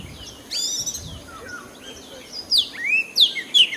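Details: Oriental magpie-robin singing a varied phrase of sweet whistles, slurred rising and falling notes and sharp high chirps, louder toward the end.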